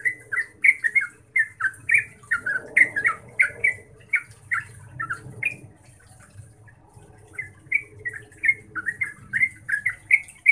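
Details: Yellow-vented bulbul pouring out fast 'ngeropel' song intended to set other bulbuls singing. Dense bursts of chattering notes come before and after a gap of a few seconds, while a low hum runs underneath.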